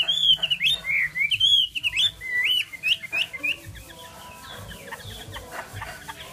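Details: Chinese hwamei song opening with strong, looping whistled notes that sweep up and down in quick succession, then fading into softer, scattered notes.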